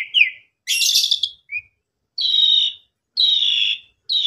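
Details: A captive Asian pied starling sings loud, harsh, buzzy phrases mixed with a short rising whistle, repeated about every second, with no other sounds; this is used as a lure to get starlings singing again after a holiday absence.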